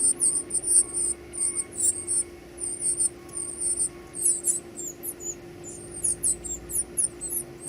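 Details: Nestlings calling while being fed: a busy run of very high, sharp squeaks and chirps, coming in rapid clusters that grow more frantic toward the end, above a constant low droning hum.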